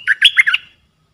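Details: Decoy red-whiskered bulbul calling to draw in wild birds, dated 23/07/64: a short rich warbling burst of about four looping notes, bright and liquid, ending within a second, with no other sounds.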